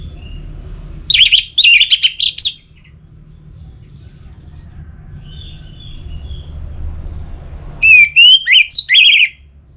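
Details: Orange-headed thrush song from Singaraja, North Bali, played to keep caged birds singing in rainy and dry seasons. Two loud bursts of rapid, high, twisting whistled phrases, separated by about five seconds of quiet background murmur.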